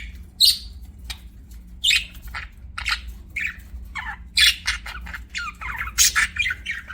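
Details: Budgerigars give separate sharp, high chirps and squawky notes spaced about every half second, over a low constant hum.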